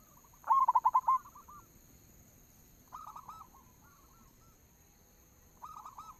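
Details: Lure cooing of a local zebra dove, said to get doves cooing at once; a quick stuttered run of notes ending in a drawn-out coo, repeated twice more at lower volume, with steady background hum.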